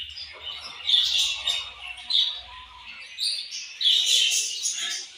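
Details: Budgerigars chirping together in a busy chorus of bright, high warbles and squeaky chatter, swelling in louder bursts near one second and again around four seconds, with faint low rumbling underneath.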